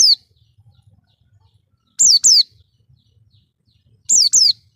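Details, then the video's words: Oriental white-eye lure sound for attracting other birds: brief pairs of high, down-slurred whistled notes separated by roughly two-second silences, over a faint low hum. "pancingan pleci AMPUH ‼️di jamin langsung NYAUT"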